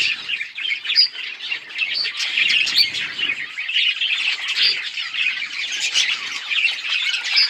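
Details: A flock of budgies, recorded on October 26, 2023, fills the air with steady, high-pitched twittering: quick chirps and warbles overlap without pause, with a few sharper peeps standing out.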